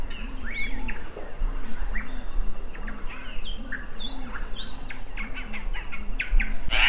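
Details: An agitated African paradise flycatcher gives sharp, scolding chirps and harsh notes in quick bursts, with other birds calling and a low rhythmic hum underneath.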